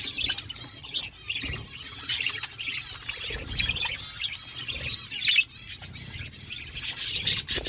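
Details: A flock of budgies eating food fills the air with continuous high, warbling chatter, scratchy squawks and quick chirps overlapping throughout.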